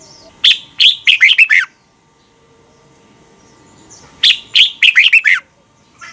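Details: Red-whiskered bulbul from Thailand, song played daily so young birds can copy it: the same quick phrase of six lively, slurred whistled notes given twice, about three seconds apart, with silence between.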